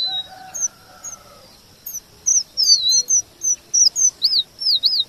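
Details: A red avadavat, called emprit geni, sings as masteran for white-rumped shama: soft low whistles open, then high thin pips build into a repeated rolling series of looping notes.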